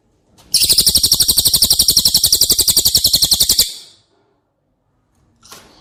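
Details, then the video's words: Cililin song meant for tutoring caged White-rumped shamas: a long, fast trill of shrill, metallic, repeated high notes running about three seconds, then quiet and a brief final note burst. "Masteran CILILIN Materi Wajib untuk Burung Murai Batu anda!!"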